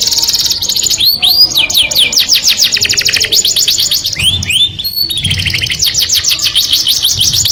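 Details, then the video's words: A canary pours out its courtship song meant to attract a mate, mixing long rapid trills with looping upward-curving whistles and a few sharp descending slurs, with faint low rumbling beneath. "o som melodioso de um canário atrai o sexo oposto"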